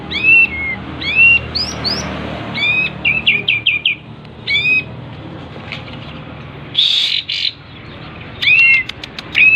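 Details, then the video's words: Kapas tembak in breeding condition with tail spread, singing bright whistled chirps that dip then rise, in groups of two or three, broken by a brief buzzy burst. "full kapas tembak gacor buka ekor birahi"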